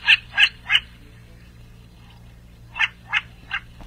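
Long-eared owl alarm call: harsh, nasal barks in two quick bursts of three, about three per second, with a short pause between bursts.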